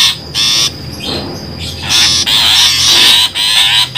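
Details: Long-tailed shrike lure sound used for bird trapping: loud, harsh, buzzy bursts of about half a second each, given in quick succession with brief gaps, over a steady thin high whine.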